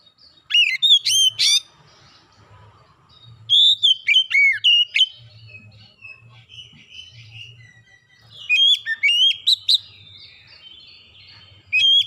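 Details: Lure song of an oriental magpie-robin to prompt other birds to sing: bursts of rapid whistled notes with steep upward and downward sweeps, separated by quieter pauses, repeated in three main bouts, low hum beneath.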